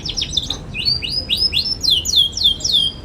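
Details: Young canary singing in a lively, chirpy way, used as a model for teaching other young canaries: rapid buzzy trills give way to a series of high, down-slurred whistled notes repeated about every third of a second.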